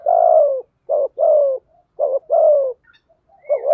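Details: Spotted dove coos, male and female, for training and luring birds: paired short notes followed by drawn-out falling hoarse coos, about three phrases in under four seconds, a thin whistle faintly behind.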